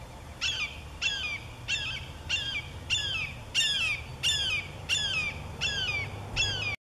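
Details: Parent Red-shouldered Hawk calling from above its juveniles, which are perched in Bonsall before their first flight. It gives a loud, harsh, downslurred two-part scream, about ten calls in steady series roughly every 0.7 seconds, over a low rumbling background.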